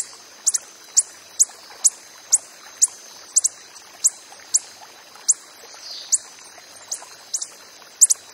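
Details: Coppery-headed emerald in the wild uttering clean, sharp high ticks at a fairly even pace, occasionally doubled, over a quiet background with a faint steady high hiss.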